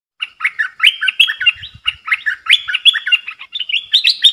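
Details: Caged bulbul duelling in song with wild birds, recorded 3 October 2021: dense run of bright, bubbling whistled phrases, rising and falling, overlapping almost without pause, with a few soft low thumps.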